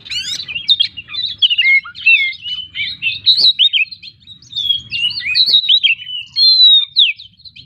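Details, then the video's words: Kacer, the Oriental magpie-robin, in full isian song: fast continuous chatter of crisp chips and whistled slurs, with a long clear level whistle near the end. "burung Kacer gacor full isian"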